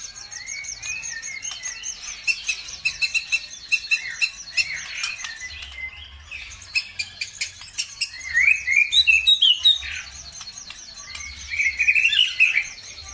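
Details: Lure birdsong played to set caged birds singing: scattered high chips and rapid clicking notes, a rising warbled phrase near the middle and a fast twittering trill toward the end, with faint low hum.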